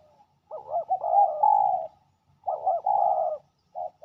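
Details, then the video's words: Male spotted dove, a fierce territory holder, at a ground decoy, giving low mellow cooing phrases with a quick fluttering start, two main phrases then a short final coo. "ต่อดินนกเขาใหญ่ มาเร็วเคลมเร็ว!! จ้าวถิ่นดุมาก"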